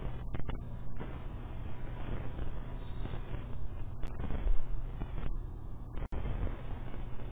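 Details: Deep, dense rumbling with scattered thumps and cracks, a little like distant gunfire or music, and no animal calls.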